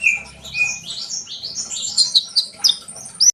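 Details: Short burst of sunbird song for spurring trainee birds: a few high whistled notes, then a quick rising and falling twitter with sharp chips at the end.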